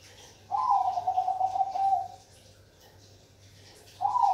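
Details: A Bangkok perkutut, a zebra dove, sings a full rolling coo of about 1.5 seconds, trilled and slightly descending. After a pause of nearly two seconds, the next phrase begins with a rising note.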